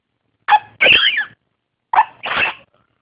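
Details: Young blue-crowned conure, a pet baby bird practicing talking: harsh, raspy squawks in two pairs, each a short burst followed by a longer scratchy noise, with silence between.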